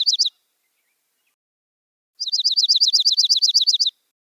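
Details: Dark-eyed Junco, a migratory bird, giving a ringing, metallic, car-alarm-like trill of about sixteen quick notes on one high pitch, after a brief three-note burst.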